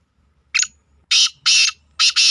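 A black francolin gives a brief sharp note, then a run of loud, harsh, grating bursts about half a second apart, the last one doubled.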